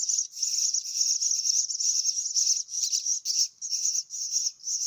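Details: Hungry myna chicks being fed produce a dense, high-pitched rasping chorus, scratchy and almost continuous, with uneven short breaks near the end.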